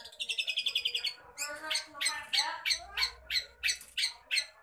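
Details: Long-tailed shrike (cendet) in active, full song rich in mimicked phrases: a quick run of about a dozen high, evenly spaced chips, then loud harsh chattering bursts repeated roughly every third of a second.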